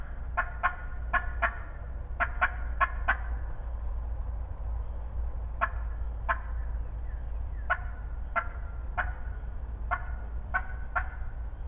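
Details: Loud wild turkey hen in spring 2020 delivers clustered series of sharp, raspy yelps, about twenty notes in bursts of two to four, with steady low rumble behind.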